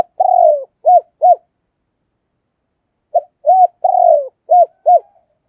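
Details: Decoy spotted dove kept as a cage bird, calling with repeated coo phrases. Each phrase has a long descending note followed by two or three rounded hoots, with gaps of about two seconds between phrases. No other sound.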